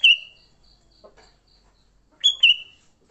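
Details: Sooty-headed bulbul in fighting song, meant to attract other bulbuls: a loud whistled note that slides downward, a pause with soft chatter and a pulsing insect drone, then a two-part bright whistled phrase.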